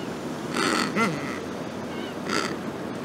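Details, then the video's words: A penguin gives two harsh, buzzy, braying bursts about two seconds apart, with a short rising squawk between them, over a steady rush of wind or surf; this is a call used for identifying chicks. "Identifying their chicks [Unknown penguin species call]"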